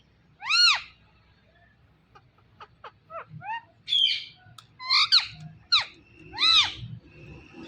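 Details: Ringneck parrot talking, repeating its learned words: loud, harsh, arched nasal syllables in about seven bursts, some quick rising chirps between them, uneven spacing over several seconds, in a quiet indoor setting with a low background hum.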